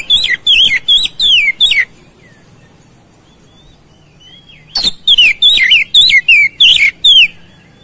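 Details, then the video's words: Magpie-robin song meant to provoke aggressive, fighting behaviour: two vigorous bursts of rapid, slurred whistles with steep downward strokes, separated by a few seconds of quiet with faint soft whistles. "PANCINGAN KACER CEPAT RESPON NGOTOT TARUNG"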